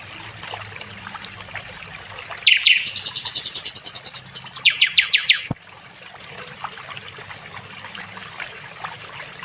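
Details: Nightingale (sikatan londo) recorded for training other songbirds: a high buzzy chatter, then a series of sharp repeated notes lasting about three seconds, ending in a click, with quieter faint background between.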